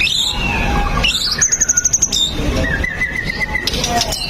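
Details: Lure song of a white-rumped shama, played to prompt other shamas to sing. It has varied whistles, a rising slide into a rapid pulsing high trill, then a steady whistled phrase, over a rough noisy background.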